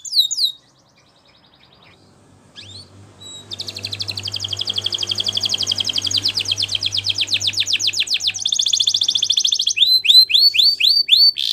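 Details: Canary singing a Spanish Timbrado training song: high, rapid ringing trills and rolling runs of repeated notes, shifting to sweeping upslurred syllables near the end, over a faint steady low hum.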